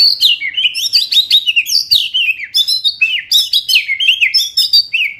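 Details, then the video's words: Caged white-rumped shama, a loud fighter-type bird, singing a fast, dense run of sharp rattling and whistled notes that rise and fall, with short bursts repeated several times a second throughout. "Kretekan Gahar MURAI BATU GACOR ini untuk memancing Emosi dan mempercepat Ngeplong"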